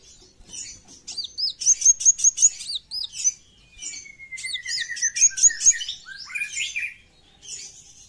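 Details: Brown-throated sunbird singing in the full besetan style: two energetic bursts of high, rapid chirps and sharp repeated ticking notes, separated by a long, thin, slowly descending whistle, with short quiet pauses between phrases.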